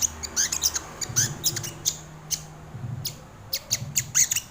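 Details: Crimson sunbird heard for bird training and luring: quick bright chips and short slurred notes, high and sharp, in small bursts separated by brief gaps, faint low rumble beneath.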